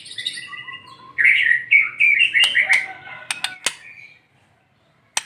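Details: White-rumped shama song recorded during morning sunning to stimulate quiet shamas; a soft opening, then a loud stretch of warbled whistled notes with scattered sharp clicks, fading to silence and a final click.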